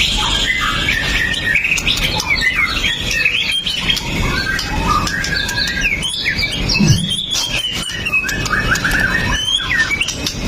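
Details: Fierce pastol-style white-rumped shama, a sharp-shooting fighter, captured with a Xiaomi Note 8 Pro as a lure to provoke other shamas; continuous chattering and whistled notes, quick slurs and trills repeated throughout, with low background hum.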